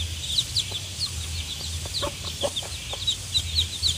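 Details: One-day-old chicks peep steadily in high, quick downward-slurred notes, many overlapping, over a constant low background hum.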